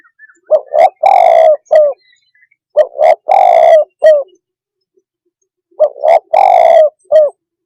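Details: Spotted dove repeating its cooing phrase three times. Each phrase is a double lead-in note, a long rough coo, and a short hooked final note, with silent gaps of about one to two seconds.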